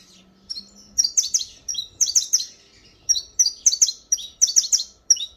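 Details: Canário-da-terra (saffron finch) sings rapid disparador phrases: loud, high, clipped chirps in groups of two to four, bursts following each other steadily with short gaps.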